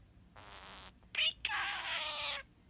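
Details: Pet budgerigar mimicking the words "kiss kiss kisses": a raspy, buzzy syllable, then a sharp clicky burst, then a longer scratchy, hissing phrase, all in a high, whispery voice against a quiet room.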